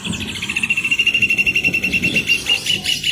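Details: Song of a rufous hornero: a long, steady trill of loud, repeated piping notes at one pitch, keeping a quick even rhythm, with a few higher overlapping notes near the end.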